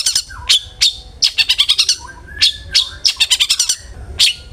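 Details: Long-tailed shrike song played as a lure to get other shrikes singing: quick runs of sharp high ticks alternating with short downslurred whistles, in uneven clusters.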